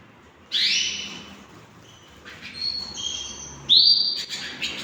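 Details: Hand-tamed pet canaries, several birds: a loud rising whistled note opens, then quieter thin steady tones, and a second bright upslurred whistle near the end, with hushed pauses between.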